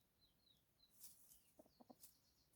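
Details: Red junglefowl heard while a decoy lures wild junglefowl: a few short, low clucks cluster toward the end, preceded by thin high whistles of other birds and a faint hiss of insects.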